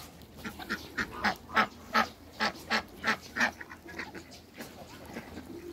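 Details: Short rasping calls from backyard Muscovy ducks, a male with a pair, repeated at a steady pace about three per second and then fading, with low ambient noise behind.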